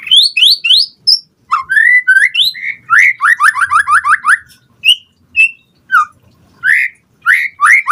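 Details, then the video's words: White-rumped shama song as a lure to provoke other birds into answering: bright rising whistles, a fast run of repeated upward-slurred notes, then scattered sharp whistles and rising phrases. "Pancingan Murai Batu Gacor Cepat RESPON Langsung NYAUT Auto BONGKAR Buat Masteran Suara Burung Murai"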